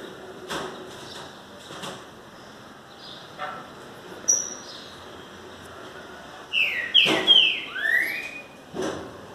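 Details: Several green-winged saltators (trinca-ferro) singing, slowly warming up: a thin high whistle, then a burst of loud, clear, sweeping slurred whistled phrases near the end, over scattered knocks and clatter.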